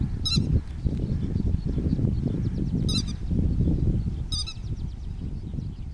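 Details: Grey-headed lapwing calling in the early morning, giving three harsh, nasal, high calls, one every one to two seconds, with faint ticking between, over a steady low rumble of wind or traffic.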